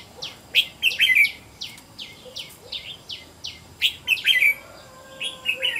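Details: Home-trained caged red-whiskered bulbul used as a decoy to call in wild birds, in competitive singing: loud liquid warbled phrases alternating with quick series of brief descending chirps, with a faint low hum behind.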